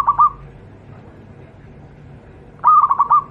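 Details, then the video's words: Wild local Javanese zebra dove singing for use as a tutor recording: a brief two-note stutter, a quiet gap of two seconds, then a quick phrase of about five fluttered coos. "burung Perkutut lokal alam, suara untuk masteran perkutut anda"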